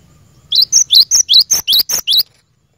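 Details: Cinereous tit (glatik batu) song used to get caged birds singing. After a moment of low hum, nine rapid ringing notes alternate level and rising whistles in a steady rhythm, then stop.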